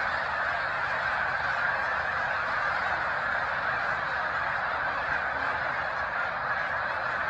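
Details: March 2021 at Cayuga Lake, Seneca Falls, NY: a large gathering of snow geese on the shore calling together, producing a thick, constant din of high nasal honks with no pauses.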